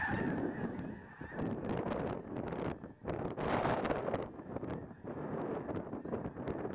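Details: Snow geese by the tens of thousands near Freezeout Lake in Montana, stopping over on a farm while migrating north in spring, about to lift off; massed honking surges and fades with bursts of wingbeat and wind noise.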